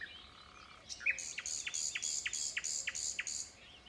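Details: A common nightingale's song phrase: a soft whistle, then about nine loud, buzzy, evenly spaced pulses, each with a sharp downward flick, delivered in a steady rattle.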